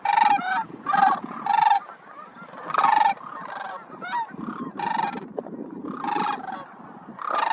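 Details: Sandhill cranes arriving to join cranes on the ground in California's Central Valley, Pixley refuge, mid-December: a series of loud rolling, trumpeting bugles, some overlapping, rising and falling every second or so over a constant background chorus.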